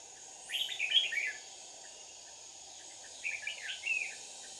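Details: Red-whiskered bulbul used as a decoy for trapping on a holiday, singing to fight. Two short, bright, warbling chirpy phrases about a second long, separated by a pause of roughly two seconds, over a steady hiss.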